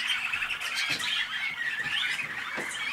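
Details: Waterslager canaries hatched in North Canton, Ohio, USA, delivering liquid bubbling trills and sliding whistles in an unbroken flow, with a few soft knocks in the background.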